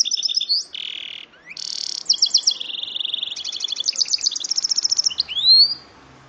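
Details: Mule bird, a goldfinch and canary cross from a male goldfinch and female canary, delivering a continuous varied song: buzzy notes, quick high trills, a long rattling series and a final upward-sweeping whistle.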